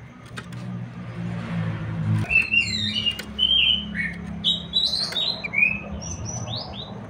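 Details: Abbott's babbler, singing to excite other birds into song: after a quiet start, whistled phrases follow in steady succession, some high and thin, others rising, over soft background hum.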